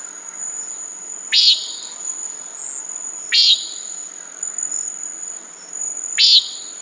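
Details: Common nighthawk repeating a short buzzy nasal note three times, about every two and a half seconds, partly set back against a persistent high insect drone and soft background rustle.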